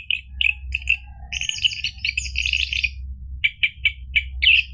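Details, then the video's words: Orange-headed thrush song for triggering a caged bird to sing: scattered whistles, a dense chattering warble, then a series of five evenly spaced short whistled notes, over steady low hum. "PANCINGAN ANIS MERAH biar bunyi NYAUT JADI GACOR NGEPLONG ampuh buat terapi macet bunyi"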